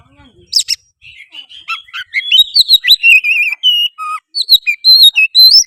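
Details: Oriental magpie-robin lure song in gacor style, aimed at stirring another bird to sing, fight and fan its tail; starts soft and scratchy, then builds into loud sustained whistles, wavering notes and rising slurs.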